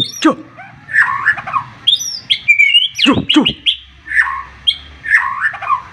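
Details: White-rumped shama (murai batu), a full song rich in varied phrases, dated 15 March 2021, its sharp voice stirring rival birds to answer: warbled whistles, buzzy trills and steep downward-sweeping notes in rapid bursts, with a faint low hum beneath.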